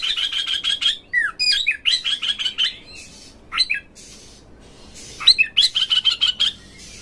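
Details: Oriental magpie-robin song played to rouse magpie-robins to spread their tails, sing intensely and fight: fast repeated sharp chipping notes in steady runs, a few falling whistles, a pause, then another rapid chipping series.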